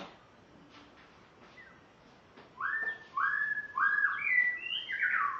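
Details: Spotted morning-thrush from Tanzania, caged on its first day at a new home, sings a few notes: after a quiet start come loud, clear whistled phrases, slurred and falling, rising higher toward the end.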